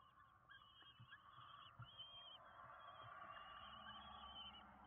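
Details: Common kestrel nestlings, five of them, begging while being fed at a nest in Windsbach, Germany, 27 June 2022; drawn-out high wavering squeals run almost continuously above a soft low rumble and scattered knocks.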